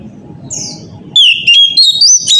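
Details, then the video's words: Oriental magpie-robin singing a morning lure song intended to trigger replies from other magpie-robins: after a second of low hiss with a faint note, a loud burst of sliding whistles and sharp rising notes begins. "pancingan suara kacer pagi hari"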